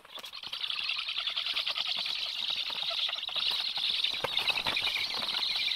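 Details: Black stork at the nest on 26 July around 9:40, as the male arrives with fish for the chicks. Harsh, hissing rasp builds within the first second, then holds steady and unbroken, laced with fine crackling clicks.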